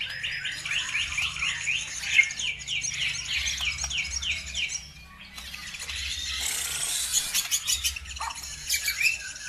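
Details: Lure birdsong meant to stir other birds to sing: a run of quick repeated downslurred chirps for about five seconds, a brief lull, then dense, very high, buzzy twittering with scratchy notes.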